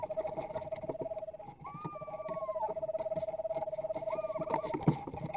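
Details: Eastern Screech-Owl at a livestreamed nest box, 14 April 2020, gives a long, even, mid-pitched one-note trill broken by brief higher wavering notes, over steady hiss and clicking; taken as a 'no, go away' call.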